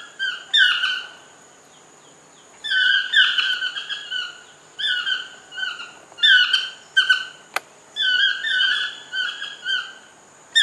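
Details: Toucan calling in a lodge garden: loud, nasal yelping notes with a falling slur, given in quick clusters of two to four, separated by pauses of one to two seconds, with a single sharp click midway.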